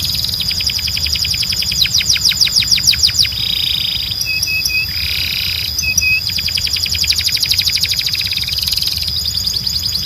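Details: Belgian canary training song, strong and clean. Long rapid trills of sharp repeated notes alternate with short buzzy rolls and paired tonal chips, then a fast trill returns. A constant thin high tone runs underneath.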